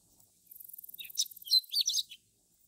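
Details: Chestnut-eared bunting singing at Akita, Japan: a brief phrase opening with a fast, thin, high ticking series, then a jumble of sharp, twittering, slurred notes, ending abruptly after about two seconds.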